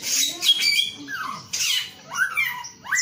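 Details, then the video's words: Male samyong giving clear slurred whistles, some sweeping down and others curving up, between harsher hissing notes in a short lively burst. "SUARA BURUNG SAMYONG GACOR/SUARA ALAM/SAMYONG JANTAN"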